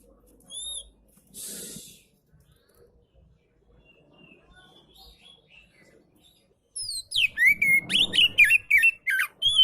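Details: Oriental magpie-robin song used to stimulate magpie-robins that are lazy to sing. After a few faint whistles and a brief hiss, a loud burst of rapid, varied chirps and whistled notes takes over, repeating several times per second.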